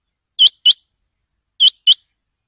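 Rain quail giving sharp, high metallic notes in quick pairs, two doubled calls about a second apart, against a silent background.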